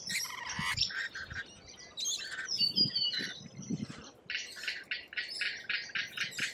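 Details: Noisy lorikeet chatter from Australia: scratchy buzzing notes, then a thin whistled squeal, then a fast series of short rasping calls packed together toward the end.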